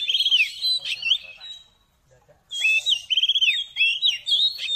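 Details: Oriental magpie-robin, kept as a cage bird, song used as therapy to raise its emotion and make it sing and spread its tail; loud whistled phrases with rapid repeated notes, a near-silent pause mid-way, then varied chattering whistles resume.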